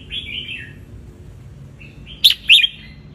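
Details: Red-whiskered bulbul, wild bird from Ratchaburi, Thailand, sunbathing, used as tutor song for young birds: a soft slurred warble, a quiet pause, then two loud emphatic whistled notes.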